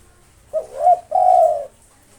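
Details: Spotted dove of a local strain singing nonstop to lure rivals: a single phrase of a brief note sliding into a wavering coo, then a sustained drawn-out coo, with near silence around it.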